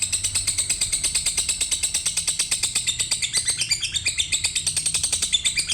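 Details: Lovebird pouring out an unbroken stream of sharp, high-pitched chirps at about three per second, the rhythm loosening into a busier, more varied chatter midway.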